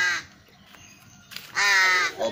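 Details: Tame young ravens in training to come when called: a harsh rasping caw at the start, a quiet pause with faint noises, then a longer loud hoarse caw followed by a short softer one.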